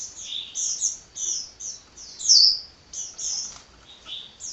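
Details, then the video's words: Hummingbird in energetic, nonstop song: high squeaky twitters and brief down-slurred whistles grouped in short bursts about half a second apart, the loudest note near the middle. Faint hiss behind. "Kicau Burung Kolibri Ngocehnya Ngedyan Ra Leren Leren"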